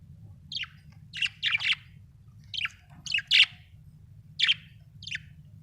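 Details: Budgies chirping: short, sharp chirps rising and falling in pitch, given singly or in quick pairs about every half second to a second, over a steady low hum.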